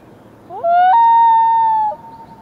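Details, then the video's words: A single long, eerie, mournful Common Loon call slides upward, then holds steady for about a second before fading over a quiet background hiss. "common loons / Scary screaming"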